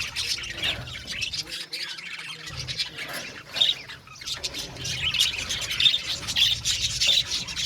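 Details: Aviary flock of budgerigars squawking and chirping, with irregular bursts of harsh, high chatter and brief whistled notes, the calling thinning briefly before swelling again.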